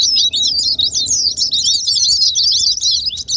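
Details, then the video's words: Lure recording of white-eye song meant to stir silent white-eyes into singing; an unbroken stream of very high, fast, squeaky twitters and quick up-and-down whistled notes. "Pancingan terapi super gila ll buat pleci yang malaz bunyi"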